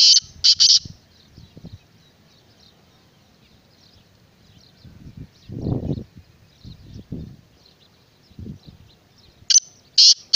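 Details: Kala teetar, the black francolin, opens with three grating, buzzy notes, falls quiet amid soft low thumps and rustles, then repeats a similar three-note harsh phrase.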